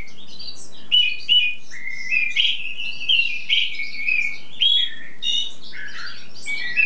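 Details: Songbird in spring, a tutor singer (cabresto) in its song-showing stage, singing for hours without stopping: sweet whistled and chirped phrases, bright notes sliding between mid and high pitch, spaced by short pauses over a steady low hum.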